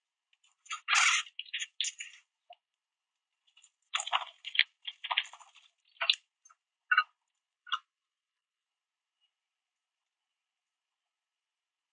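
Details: Scattered soft squishes, taps and rustling bursts in the first eight seconds, then quiet; no animal calls are heard.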